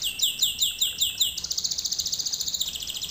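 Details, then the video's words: Canary singing as a tutoring lesson: six slow swooping high notes followed by a rapid even trill of short repeated notes. "Canary Singing - lesson 36"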